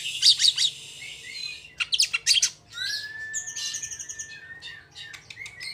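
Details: Oriental magpie-robin song in a fast rolling style, used to provoke other magpie-robins to sing: high sharp chirps, buzzy bursts, a long upward-slurred whistle and trilled high notes, over a steady faint hiss.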